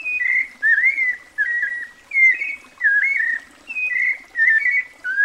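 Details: Melodious White-necked Thrush song: separate whistled phrases about every 0.7 seconds, some rising, some twisting into quick warbles, the phrases evenly loud with short silent gaps.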